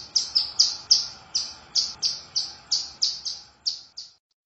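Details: Female hill prinia singing, used as a lure: a fast series of high, sharp, slightly descending chirped notes around three per second, steady and bright, fading out at the end.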